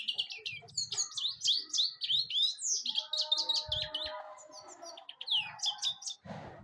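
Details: European goldfinch singing: a fast, continuous run of bright twittering, tinkling notes and short liquid trills, mostly high-pitched, with brief buzzy phrases and a few lower clicks and soft knocks underneath.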